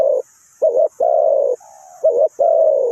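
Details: Trapping decoy spotted dove from Ninh Thuận giving a short coo, a wavering note, then a long steady coo, a quieter flat tone, a trembling note and a final drawn-out coo.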